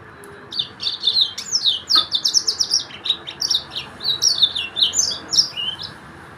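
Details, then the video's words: Yellow-fronted canary, locally called Sudan finch, singing a brisk sequence of high, clipped chirps and downslurred whistles, repeated in quick rhythmic phrases. "تغريد فرخ السودان موزمبيق"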